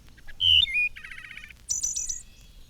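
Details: Wood thrush song from a 1954 Cornell recording, sung in measured flute-like phrases: clear whistled notes sliding from high to lower, a short rattling burst, then a high buzzy trill that ends the phrase. Low background hum.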